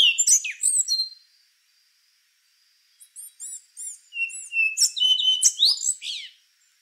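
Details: Song of the rufous-brown solitaire: a burst of high twisting whistles, a pause, a series of short pure chirps, then a longer phrase of level whistles and rapid slurred notes.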